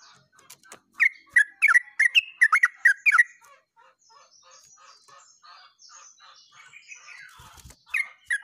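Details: Yellow-vented bulbul, recorded 29/08/24, singing in a busy, chattering style rendered as "uglak uglik": a quick run of bubbly, liquid notes over about two seconds, then soft high twitters from other birds and a final pair of bulbul notes.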